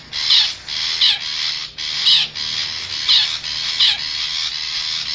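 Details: Call of a wild forest long-tailed shrike, used to lure wild shrikes closer: harsh, raspy, broad screeching bursts repeated about once a second over a steady background hiss.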